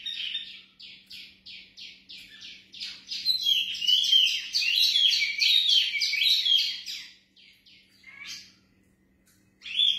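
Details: Vocal mini wambi from a breeding pair gives a string of evenly spaced buzzy chirps, swelling into a busy twittering chatter, then fading to soft notes before a final burst, with a faint hum throughout.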